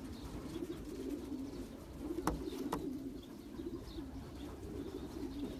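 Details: Champion racing pigeons bred for long-distance racing: low, rolling coos overlap almost continuously, with two sharp clicks near the middle and faint room hum.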